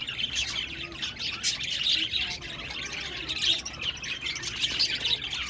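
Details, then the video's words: Budgerigars in a group on 1 November 2023 produce steady, unbroken chattering, a mass of high scratchy warbles and squeaky chirps with occasional sharper notes. "Lovely budgies sound and chirping"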